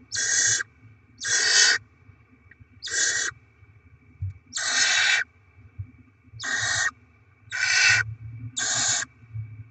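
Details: Rasping, noisy hisses from a barn owl nest where the adults bring rodents to feed the chicks, 7 February 2024. Seven bursts spread unevenly across ten seconds, with a low rumble underneath.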